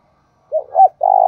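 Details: Decoy spotted dove calling to draw in wild doves: a brief low coo, a louder arched second note, then a sustained burry, trembling coo that is cut off before it ends. No other sounds.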